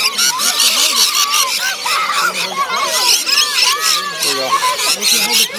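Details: A crowded flock of lorikeets at feeding time at Currumbin Wildlife Sanctuary keeps up a constant shrill, screechy chatter of overlapping squawks and rasping notes, with people's voices faintly mixed in.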